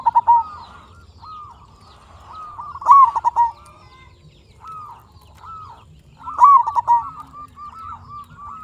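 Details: Singing local zebra dove used as a lure to rouse other zebra doves into song. Loud stuttered coo phrases come about every three and a half seconds, with softer looping coos in the gaps.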